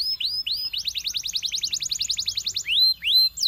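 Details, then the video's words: A Belgian canary sings to draw other canaries. Two rising whistles lead into a steady, rapid trill of about twenty repeated notes, and the phrase closes with more clear upswept whistles. "A Special Canary to Seduce All The Canaries - The Belgian Singing Canary"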